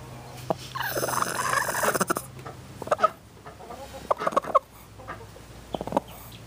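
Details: A broody hen warning a person off with a rasping, dinosaur-like growl, a rough drawn-out rattle followed by scattered clucks and knocks.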